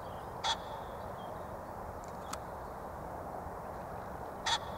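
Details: Pheasant calling: two short, harsh, abrupt bursts about four seconds apart, each with a strong low-pitched core, heard over steady background rumble and hiss.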